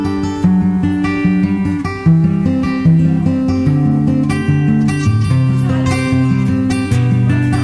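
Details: Plucked acoustic guitar plays a melody with strummed chords, and no animal sounds.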